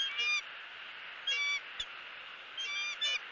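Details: Southwest Florida bald eagle nest, February 2017, female screaming as the male delivers a headless fish: four brief, thin, high chittering squeals spaced unevenly over a steady rushing hiss.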